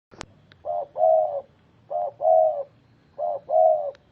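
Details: Spotted dove, known locally as tekukur, giving three paired coos: a short low note then a longer arched coo, repeated roughly every 1.3 seconds, clear against a quiet background with a faint click at the start.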